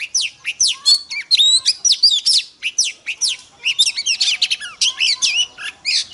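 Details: Female Oriental magpie-robin used to fire up males, singing a lively sequence of clear whistled slurs and quick clipped notes in short rhythmic bursts, steady and loud throughout.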